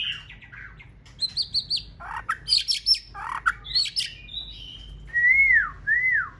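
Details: Singing female white-rumped shama in breeding season, stirring up the male: fast scratchy chatter and clipped notes give way to two long, arching whistles that rise then fall.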